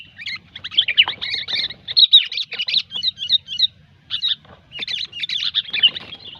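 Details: Gecor-style sooty-headed bulbul song used as a lure: an almost continuous stream of fast, varied chirps and twittering notes with one brief break midway.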